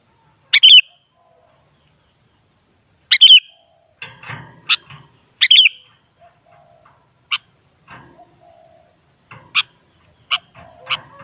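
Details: Sooty-headed bulbul (kutilang) song: short, bubbly, two-part whistled phrases repeated roughly every two to three seconds, with a few fainter, softer notes and faint low rustling between them.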